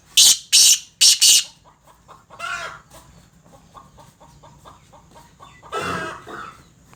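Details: Black francolin hen calling: three loud, harsh, rasping bursts in quick succession open the recording, followed by a rough grating note, soft ticking sounds and a final coarse burst near the end.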